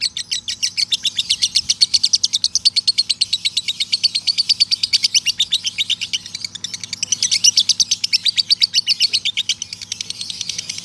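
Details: Extended ngekek trill from a male lovebird, played to train young and adult lovebirds: an almost eleven-second run of rapid, shrill, rattling chips, steady in pace and swelling slightly midway and near the end.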